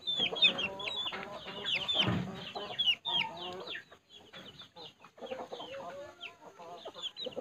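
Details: A pet puling bird released to play on the ground in a house yard at midday, 6 September 2020, alongside chickens: busy overlapping chatter of squeaky high whistles, rapid trills and low clucks, with brief pauses.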